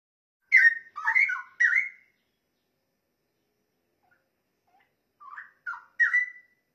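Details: Straw-headed bulbul song used for training songbirds: two bursts of loud, rich, bubbling warbled phrases with rolling notes, separated by a few seconds of silence.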